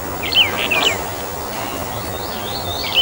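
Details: Brown bullfinch (Taiwan subspecies uchidae) uttering a brief cluster of soft, sliding whistles, then another lone note near the end, with faint high chirps of another bird and steady background hiss.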